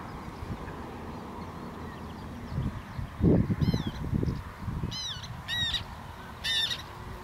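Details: Black tern in the Netherlands: short, high, harsh calls in quick clusters during the second half, over a low, muffled rumble of louder lower sounds and steady background noise.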